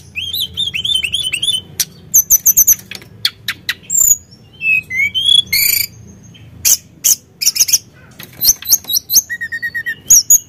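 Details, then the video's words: Sunda blue robin pouring out lively song meant to provoke other birds: a series of upslurred whistles, then dry rattling bursts, scattered clicks and squeaky notes, ending in brief level whistles and trills. "Pancingan Emosi Burung Tledekan Gunung Gacor"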